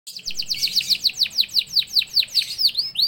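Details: Young canary in full song, meant to make other canaries answer and sing: a quick run of bright, high, downward-sweeping whistled chirps repeated about five times a second, with faint low background noise.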